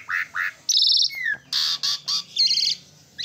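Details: Asian pied starling in song, caged: harsh nasal notes alternating with buzzy broadband bursts and a short falling whistle, in uneven phrases about a second apart.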